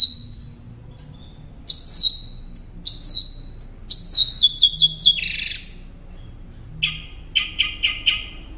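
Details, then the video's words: Northern mockingbird song for caged-songbird training: high descending whistled slurs repeated several times, a rapid stuttering series, a burst of harsh noise, then quick repeated chattering notes. "Masteran Pintar Burung Kicau Northern Mockingbird"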